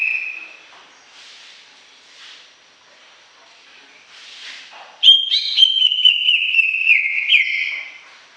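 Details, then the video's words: After several seconds of faint rustling and soft notes, a greater green leafbird breaks into loud, clean whistles, sliding and stepping through a series of pure tones for about three seconds before fading. "Suara Kicau CUCAK IJO Gacor Panjang"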